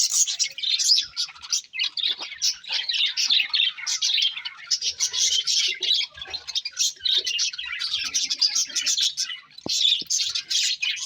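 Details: Several pet budgies chatter in irregular bursts of scratchy chirps and warbling notes, short gaps between phrases, with a couple of sharp clicks late in the clip.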